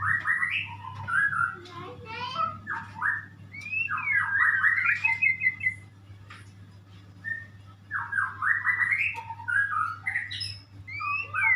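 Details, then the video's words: Murai or white-rumped shama in full song: loud whistled phrases, rising and falling slurs and rapid chattering runs, delivered in bursts with a quieter gap midway, over a constant low background hum. "sound of the bird , burung muray , burung berkicau , burung bernyanyi"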